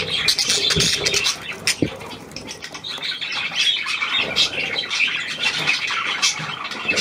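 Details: Newly acquired hand-tame Australian pied budgerigar, recorded 17 February 2023: dense, scratchy high chatter with rapid squawks and clicks running almost continuously, a few louder bursts near the start.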